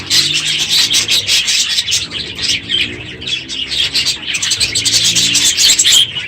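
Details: Budgerigars in a full aviary, unusually loud this morning as the breeding season ends; busy high chirps and warbling chatter from many birds, with faint low hum beneath.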